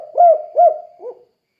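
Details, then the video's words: Spotted dove in the kuk-kuk style, used as a model for other doves: two strong, low coos followed by a fainter, lower closing note, all within about a second. "Suara Burung Tekukur Kuk 2 Gacor Untuk Melatih Tekukur Lain Biar Ikut Gacor"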